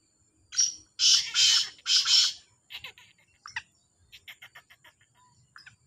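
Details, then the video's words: Black francolin, one of two calling in competition: a loud, rasping four-note phrase, then fainter scattered chirps and a rapid series of soft clicking notes from another source. "2 تیتروں کا بولائی کا مقابلہ | kala Sindhi Teetar ki Awaz | Black Francolin Voice"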